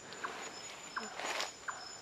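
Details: A nightjar calling at night in Vietnamese forest gives short, hollow knocking notes, evenly repeated about every three-quarters of a second, over a steady high insect drone and a brief rustle.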